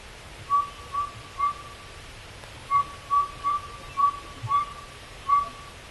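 A northern saw-whet owl gives clear, mellow whistled toots on one steady pitch, about nine notes in six seconds in loose bursts, over faint background hiss.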